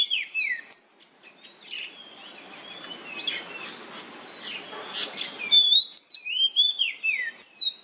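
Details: Nyemplong-style oriental magpie-robin song, played to coax other magpie-robins into singing: loud, sharp whistles with quick downward slurs, a quieter middle of varied warbling notes over hiss, then another bright burst of rapid phrases.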